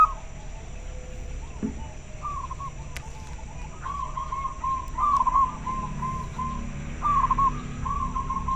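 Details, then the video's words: Local zebra doves calling back and forth in answer, several short phrases of soft, rolling, bubbling coos at steady mid pitch, repeated every second or two and growing louder toward the end, over a steady low hum. "Suara perkutut lokal sangat jernih - denger suara nya pada respon nyaut"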